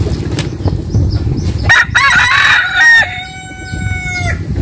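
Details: Rooster crowing in the morning at a rural home in Vietnam's western region: a loud, drawn-out crow lasting over two seconds, with a rising opening and a long level ending, over low background rumble and clicks.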